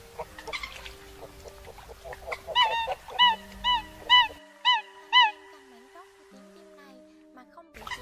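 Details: Eurasian coots calling the flock, used as a night net-trapping lure in the 2024 migration season: five loud, honking, nasal notes in quick succession after softer calls, with steady tonal hums below.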